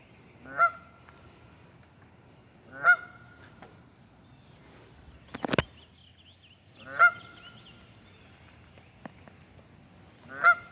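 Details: Canada goose calling on May 20, 2023: four loud, harsh honks spaced irregularly about two to four seconds apart, with a sharp knock or click near the middle and quiet background.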